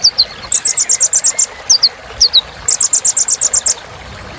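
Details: Kolibri ninja singing, used as a rich filler song to spur other birds: rapid bursts of very high, sharp chips repeated about twice a second, interspersed with short descending whistled slurs, over a faint steady hiss.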